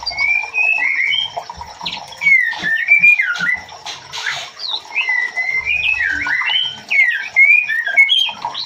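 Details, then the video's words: Female white-rumped shama calling the male for mating; a lively run of short whistled notes and slurred chirps, rising and falling, given in quick bursts separated by brief pauses, with faint steady hiss underneath. "SUARA MURAI BATU BETINA MEMANGGIL JANTAN"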